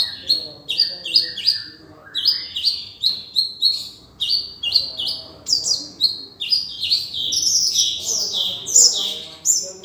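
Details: Sunbird training song in the konin dacok manner with rich filler, for teaching other birds: a steady run of high, sharp chirps at about two per second, growing denser and more twittering toward the end.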